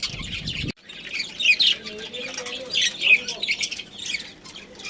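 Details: A breeding pair of pet budgerigars twitter and warble in a dense, scratchy stream of high chirps after a short low-pitched noise at the start.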